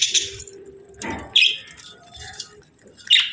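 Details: A budgerigar pair in breeding season giving a few scattered short chirps and squeaks separated by quieter gaps, with a low hum and a soft bump in the background.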